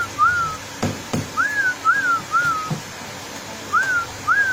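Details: Female straw-headed bulbul repeating a sweet whistled slur that rises then falls, about every half second in short runs, with a few faint knocks in the background.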